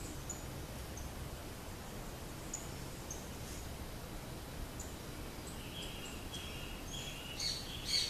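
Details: A swallow-tailed hummingbird (Eupetomena macroura) fledgling that has just left the nest, perched on a silk floss tree in a garden, gives thin, very high scattered faint chips, then a few sharper notes near the end, over a low rumble.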